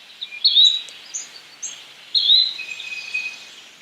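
Yellow-bellied Flycatcher giving short, high, thin notes, with two stronger bursts about two seconds apart and fainter chirps between them.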